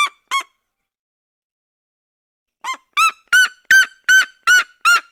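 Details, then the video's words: Red-legged seriema of the Brazilian cerrado: two sharp yelps, a silent gap, then a rising run of six loud, ringing, harmonic notes at an even pace of about three per second, from its duet song. "CHAMADO E CANTO EM DUETO DA SERIEMA - SERIEMA DO CERRADO"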